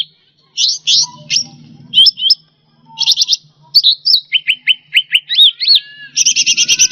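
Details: Cucak rante (Indonesian grassbird) singing, a recording used as masteran to tutor pet songbirds: rapid buzzy trilled bursts, then a run of sharp rising whistled notes, ending in a fast steady rattling trill.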